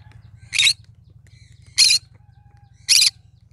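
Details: Cinnamon green-cheeked conure singing in three loud, rough squawks roughly every 1.2 seconds, with a low continuous hum in the background.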